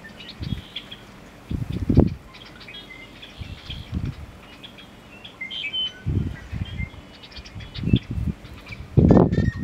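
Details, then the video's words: Male American bittern giving its "Onk, Onk, Onk, Onk-a-chunk" display call: deep, hollow gulping booms in irregular bursts every second or two, with faint high chirps of small birds behind them. "American Bittern Display Call"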